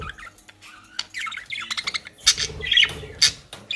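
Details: Pet budgerigars in the Netherlands feeding on dry grass and leaves: quick, jumbled chirps and scratchy squawks, with sharp clicks and some low background rumble.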